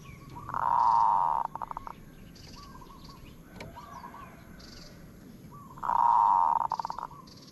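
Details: Zebra dove, 'aod' style cooing: two full phrases about five seconds apart. Each is a strong drawn-out buzzy coo ending in a burst of fast clipped pulses, with soft rolling notes between them and light ambient noise.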